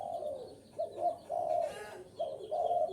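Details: Wild-dove lure of a spotted dove, a sequence of four warm, husky coos, the middle one longest, with a brief rasping chirp overlapping between them.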